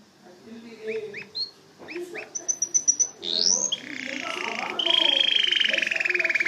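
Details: Canary song starting with soft scattered chirps, then a string of very high pips, a rising sweep, and a loud sustained buzzy roll, over faint background noise.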